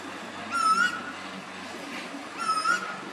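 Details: Pacific koel, also called storm bird, at Mooloolaba, Queensland, giving two loud, clear, slightly rising whistled calls about two seconds apart over a soft background hiss.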